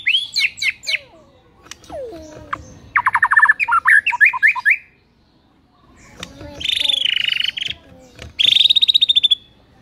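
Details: Varied song of a white-rumped shama, played as a morning lure to get birds singing: quick downslurred notes, a harsh chattering burst, then two loud, fast, rattling trills split by a short silence.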